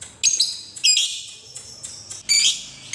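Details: Lovebird chirping meant to coax young lovebirds into singing and ngekek: short shrill harsh bursts, some with sliding whistled edges, in uneven bunches across three seconds.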